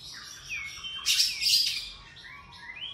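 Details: Oriental magpie-robin morning song heard softly against a hiss of background noise: rising slurred whistles and a louder rough burst in the middle.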